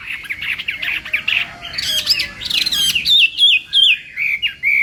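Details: Chinese hwamei practising its contest song in the morning: rough scratchy notes followed by bright, ringing whistles that sweep downward in quick succession.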